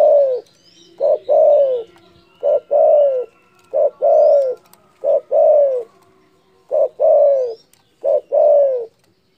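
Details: Loud spotted dove call said to provoke rivals: seven paired phrases, a quick short coo then a longer falling coo, repeated roughly every 1.3 seconds, with faint twittering from other birds in the background.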